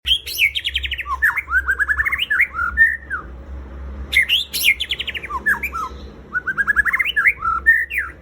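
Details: White-rumped shama in full, lively song, used as a lure recording to prompt other shamas to sing: two bursts of rapid, varied whistled and chattering phrases, rising and falling slides and trills, with a brief lull between, over a low steady hum.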